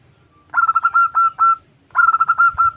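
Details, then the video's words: Female zebra dove calling a male, used for luring: two close phrases of quick, pulsing coo notes, each trailing into a sustained coo, over faint low background noise. "Suara Perkutut Betina Memanggil Jantan"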